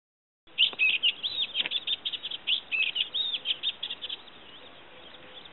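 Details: Olivaceous warbler singing at Kalloni Saltpans on Lesvos in May 2010: a rapid run of scratchy, chattering notes and short upslurred squeaks that rises and falls continuously for about four seconds, then stops.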